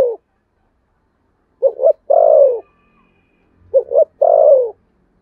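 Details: Spotted dove performing contest cooing in the Sấm Thổ voice: the end of one coo, then two full phrases of a double short note and a long descending coo, about two seconds apart.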